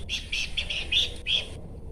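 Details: Horsfield's babbler giving a dense run of quick, bright chirps for about one and a half seconds, with a brief break before a final note.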